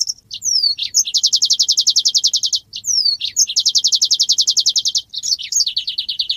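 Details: Asian golden weaver in full song: rising and falling whistled slurs, then a long fast buzzy trill of evenly repeated notes, the phrase given twice and followed by more slurred notes.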